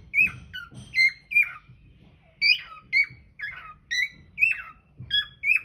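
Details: Cockatiel singing indoors, filmed with a hidden camera; a pet bird gives clear whistled notes that rise then drop, repeated in a steady run of about a dozen short phrases, with faint low thumps in the room.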